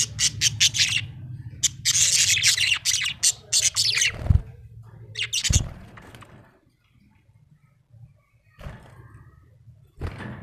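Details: Small parrot chattering in fast, harsh, high chirps for about six seconds, broken by a couple of thumps, then near silence with a few faint calls and one final burst.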